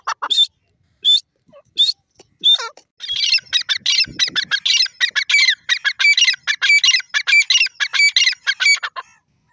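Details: Black francolin giving a few separate sharp, clipped notes spaced about a second apart, then breaking into a dense run of rapid grating squawks repeated roughly ninety times a minute until the end.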